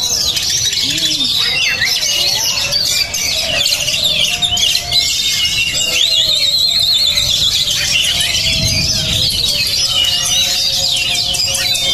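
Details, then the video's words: Oriental magpie-robin (kacer), described as highly emotional and steel-nerved, singing a loud, dense, continuous stream of high chattering notes, buzzes and quick whistles with a few lower sliding notes beneath. "menjanjikan kacer beremosi tinggi dan bermental baja"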